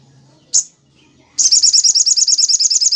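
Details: Crimson sunbird song for training other birds, in the tembak cililin style: one sharp high note, a short gap, then a fast run of shrill, evenly spaced chattering notes.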